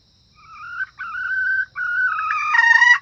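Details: Female red junglefowl calling, used as a lure to attract males and other females: drawn-out, slightly nasal mid-pitched notes in three rising segments, ending in a quick burst of harsher rapid notes.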